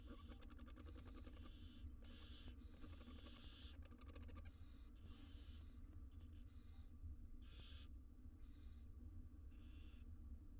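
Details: Wild barn owl nestlings, six in a monitored nest box, beg during feeding with rasping hisses of varied length, dense early on, mixed with rapid clicking ticks, then shorter separated hisses over a low hum.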